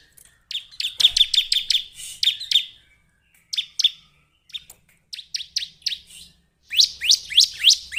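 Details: Bar-winged prinia calls used to lure birds: fast strings of high clicking chirps, short pauses, then rising swept notes at a slower, even pace near the end.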